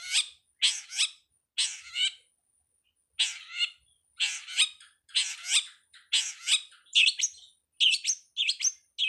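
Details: Long-tailed shrike song used as a master for training songbirds: harsh, rasping paired notes repeated at irregular intervals, ending in quicker, higher squeaky chirps.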